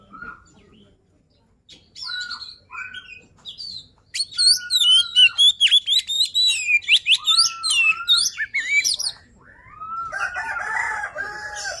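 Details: Luring song from a poci-type Oriental magpie-robin: soft scattered whistles build into a loud, varied torrent of twisting whistles and sharp notes, ending in a harsher, noisier chatter.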